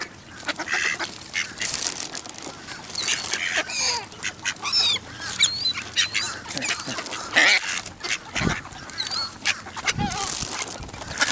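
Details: Ducks fed shredded wheat at the Newburgh waterfront, 23 November 2014, 55 F; busy harsh quacking from many birds, mixed with thin high squeaky calls and a few louder honk-like notes.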